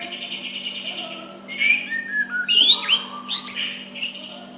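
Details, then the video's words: White-rumped shama in quiet, provoking song aimed at a rival: sparse, thin, high whistles and short upward slurs separated by brief gaps, with a continuous faint hum in the background. "Murai batu suara lembut cocok untuk MEMEKAT lawan ikut emosi dan saling balas"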